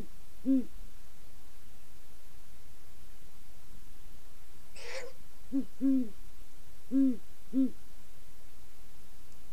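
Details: Pair of great horned owls giving widely spaced, deep single and double hoots, with one loud breathy hissing rasp near the middle of the recording.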